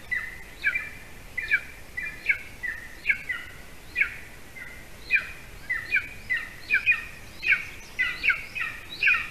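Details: At a golden eagle nest in Latvia, as the adult male finally brings a larger bird for the chick's late supper; long, persistent series of sharp, shrill chirps, paired and uneven, growing more rapid toward the end.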